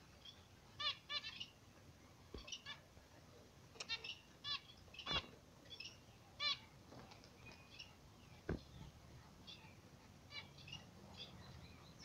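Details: A pair of zebra finches in the morning sun gives frequent short, nasal, beep-like calls in loose runs. Several sharp clicks and knocks are heard in between.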